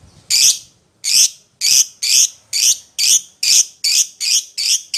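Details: Lovebird calling its companion: loud, shrill, raspy squawks repeated quickly, about two per second, each a thick burst of high sound, ten in a steady run.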